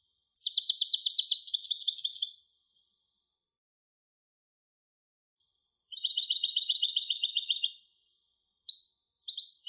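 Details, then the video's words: Two buzzy, trilled phrases from a European goldfinch hybrid, each about two seconds long and separated by several seconds of silence. Two short clipped notes follow at the end. "تغريد هجين الحسون Canto De Mixto del Jilguero"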